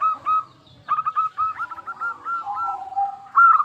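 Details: Clear-voiced local zebra dove, used to lure other doves into answering, delivers a quick series of curling coos that drop into a lower drawn-out note before a bright final phrase.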